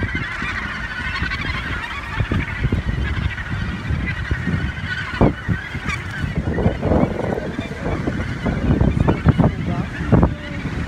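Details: Australasian gannets calling at a breeding colony on Muriwai Beach, New Zealand; many birds give harsh, grating, clustered calls throughout, with steady wind noise underneath.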